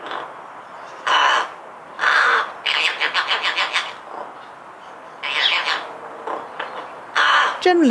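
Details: Rook in a Hampshire, UK garden, 2020, chattering quietly to itself, possibly a form of song: hoarse caw-like notes and a quick run of clipped, rattling syllables, ending with a thin falling squeak.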